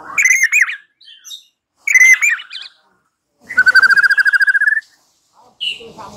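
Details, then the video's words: White-rumped shama song used as a lure to coax a bird into answering and singing, short tangled whistled phrases separated by pauses, then an even fast trill lasting over a second. "Pancingan Murai batu 85% Jitu jadikan Murai batu NYAUT NGEPLONG"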